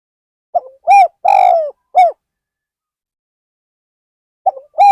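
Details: A decoy spotted dove luring wild birds at Ban Nong Hin gives one complete low coo phrase. The phrase runs short note, arched coo, long falling coo, arched coo, then after a pause the next phrase begins.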